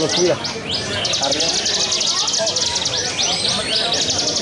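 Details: Caged bar-winged prinia at a songbird competition, singing in the 'ngebren' full-song manner, 'walang sangit' style, throughout the contest: a dense, rapid run of high, buzzy repeated notes with a few thin whistled slurs over a steady background murmur.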